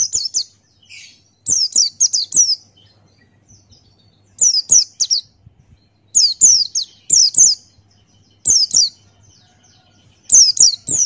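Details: Open-beaked ngalas song of a Buxtoni white-eye used for training caged birds: rapid groups of three or four thin, high descending chirps, repeated in quick succession with brief pauses between groups.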